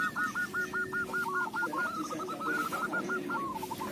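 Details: Local zebra dove singing, a voice suited as a lure. The notes repeat quickly and evenly, then break into a fluttering trill, all over a noisy, hissing background.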